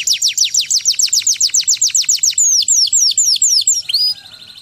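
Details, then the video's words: A chincin canary song: a rapid rolling train of short high descending sweeps, about four per second, slowing into longer drooping whistles, then a brief soft twitter at the end. "Kenari "Chincin Canary""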